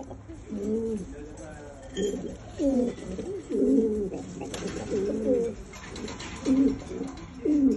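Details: Homing pigeons seeking to mate coo in deep, wavering bursts, several phrases of rising and falling throaty notes separated by short pauses.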